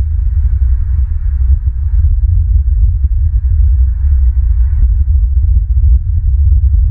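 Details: Loud, constant low rumble and throbbing, like wind buffeting a microphone, with no animal calls.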